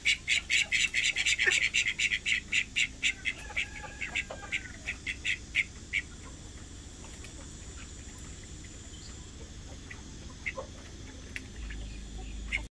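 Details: A white call duck gives a fast run of loud, harsh, high quacks, about twenty in six seconds, slowing and fading, then only faint scattered notes.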